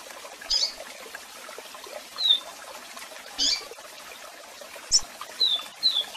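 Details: Double-collared seedeater, strong song with calls for song training: scattered short, high whistles and chips spaced a second or more apart, with a few closer notes near the end, over a continuous waterfall.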